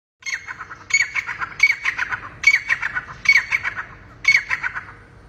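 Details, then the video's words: Quail, possibly a grey francolin (teetar), giving harsh, raspy squawking bursts, six of them in about five seconds, each a scratchy cluster of notes, over a faint low background hum. "Quail sounds"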